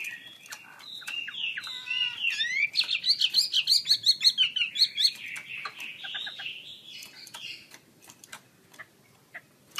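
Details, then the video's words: Chinese hwamei singing with open wings: a quieter rendition with whistled slurs leading into a fast series of about a dozen sharp repeated notes, then softer warbling, with clicking sounds throughout and background hiss. "KICAU HWAMEI WAMBI KEMBANG GACOR BUKA SAYAP"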